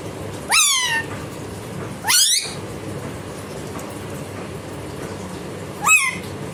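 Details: Pet Indian ringneck parakeet imitating a cat while playing: three loud, harmonic meow-like cries, each sweeping sharply up then sliding down, at irregular intervals, with a faint background hiss between them.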